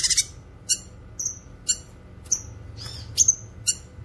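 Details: Cucak kinoy, a recording meant for training songbirds and luring wild birds; short, separate high notes with whistled overtones, spaced about half a second apart over a quiet, low hum.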